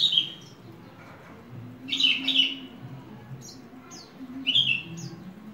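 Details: Horsfield's bush lark kept as a hobby bird, giving a few short scratchy, high bursts separated by pauses of about two seconds, with thin flicking notes between them and low hum behind.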